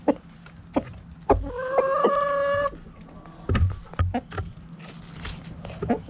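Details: Hens and roosters in a backyard chicken coop: scattered short clucks, then a long steady harmonic crow-like call for over a second, followed by more clucks and low thumps.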